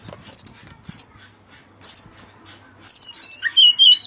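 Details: Oriental magpie-robin, white-breasted type, delivering Cililin-style phrases: repeated short high buzzy chatters in clusters, then a run of quick sliding whistles at the end, with a faint low hum behind.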